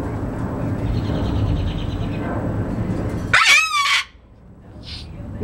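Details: A female umbrella cockatoo on her first day outside, after chatting and dancing, gives one loud, harsh, rasping screech lasting under a second, after several seconds of steady background rumble and faint chatter.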